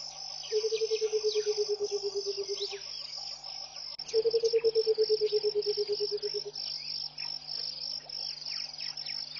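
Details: In the early morning of 21 January 2014 at Pete's Pond in Botswana's Mashatu Game Reserve, a Burchell's coucal gives two long, low bubbling series of rapid hoots, each gently falling in pitch, under a constant high insect drone.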